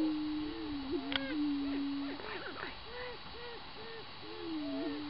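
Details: Several male Greater prairie-chickens booming in a spring display on northern tallgrass prairie in Minnesota: low, hollow, moaning hoots rolling over one another, with a few sharp cackles mixed in.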